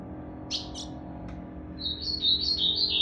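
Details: On 8 September 2020 a Blue-black grosbeak in moult, tail not yet full, gives two sharp chips, then a fluent high warbled phrase of slurred whistles stepping up and down, over steady low hum.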